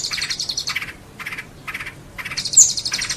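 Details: Long-tailed shrike song, recorded as a master for tutoring other songbirds, heard as short bursts of high chirps separated by brief pauses, fairly quiet.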